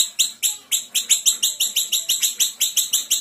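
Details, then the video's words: A small Sumatran siri-siri sings a fast, steady run of sharp, very high chips, about five each second, strongly and evenly repeated, with no other clear sounds. "Siri-siri kecil gacor tembakan rapat"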